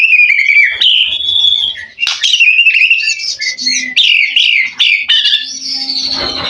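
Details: Loud, rich song of a mutation white-rumped shama singing competition fill material, showing fighter mentality: continuous high whistles, slurred swoops and scratchy mimic-like notes packed tightly together, ending in a fading sustained whistle.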